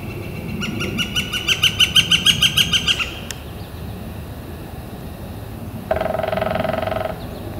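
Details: On April 28, 2014, a warm, clear spring day, a Northern flicker calls with a quick, even string of sharp notes lasting about two and a half seconds. A click follows, then a brief low, harsh rattling burst.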